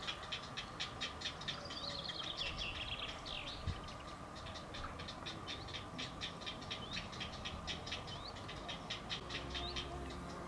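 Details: Week-old great blue heron chicks at the nest while their mother feeds them by regurgitation, recorded by a field camera: a long run of sharp, evenly spaced ticking notes with occasional high upslurred whistles over a constant low hum.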